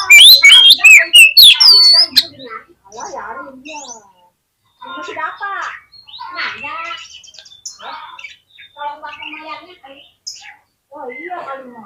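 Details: Oriental magpie-robin song used to provoke a fighting response: an opening burst of loud, rapid whistled sweeps, followed by softer, varied chattering and warbled notes in short scattered phrases with brief gaps.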